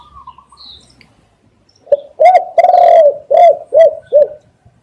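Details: Spotted dove coo used as a lure for catching doves; after a soft lead-in come a long hollow note and four or five short, punchy coos in quick succession, close and loud in a quiet setting.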